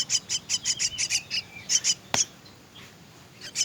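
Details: Myna chicks begging while being fed: a quick series of high, harsh, rasping notes, one sharp click, a brief hush, then the calls start again.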